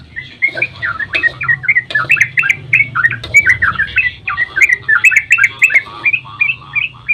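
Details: Sooty-headed bulbul singing a long, busy dawn sequence meant to stir other bulbuls to reply: dense chattering whistles, fast warbled notes tumbling up and down, with a low steady hum underneath throughout.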